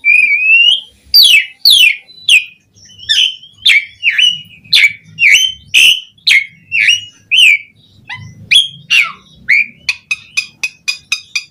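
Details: Asian pied starling song meant as a lure to get other starlings singing: a run of loud, sharp descending whistled notes about twice a second, ending in a quicker series of short clipped chips.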